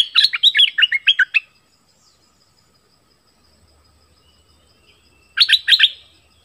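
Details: Orange-headed thrush of the southern type, whose song is used to lure wild birds and train young birds: two bursts of rapid, varied chirping notes about four seconds apart, with near silence between them.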